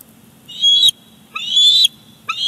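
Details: Bald eagles at their Big Bear Lake nest on 18 July 2019, during the father's fish delivery to the chick. Three high whistled calls come roughly every second, each one rising slightly.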